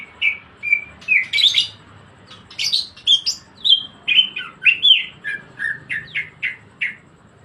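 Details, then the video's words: Greater green leafbird (cucak ijo) singing actively in the rapid 'ngebren' style: a fast, varied stream of clear whistled and chattering notes, some rising, some falling, in quick bursts about every third of a second. Faint low hum behind. "CUCAK IJO GACOR NGEBREN"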